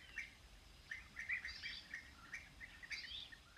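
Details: European bee-eaters calling with quick, purring, trilled notes, some overlapping, in a lively irregular series with a few thinner high notes mixed in.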